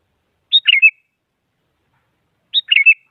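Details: Sooty-headed bulbul provoking a rival bird to sing: two identical short bubbly phrases two seconds apart, each opening with a high clipped note and tumbling into a quick wavering warble, against silence.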